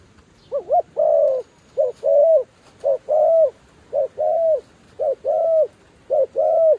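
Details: Decoy dove luring wild doves repeats a steady two-part coo, a short note followed by a longer drawn coo, roughly once a second throughout.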